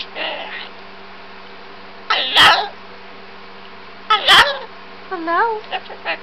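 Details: Pet cockatoo in a silly mood talking away indoors: two harsh broadband squawks, then a wavering, warbling burst of chatter, with a person saying hi and aww beforehand and a steady low hum underneath.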